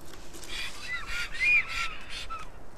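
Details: Black stork at its nest in Karula National Park, southern Estonia, 2021: harsh, rasping bursts repeated about every half second for nearly three seconds, with thin whistled tones gliding beneath them.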